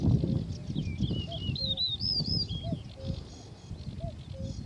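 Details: Male Yellow-breasted Bunting in song: a clear run of whistled notes that first descends, then climbs and wavers. Another bird gives short low piping notes repeated throughout, over low rumble.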